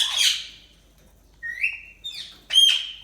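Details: A budgerigar gives loud, clear chirps and squawks. A harsh falling burst opens, then rising whistled notes and a ringing harmonic chirp near the end, with near silence between calls.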